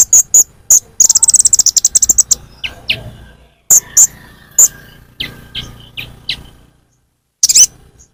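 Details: Sunbird calls used to lure birds: high sharp chirps, a fast buzzy trill lasting about a second, then scattered lower chirps and a final shrill note.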